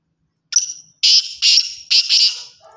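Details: Black francolin giving one full call: a brief thin high note, a pause, then three loud, rasping, buzzy notes, the last drawn out and fading.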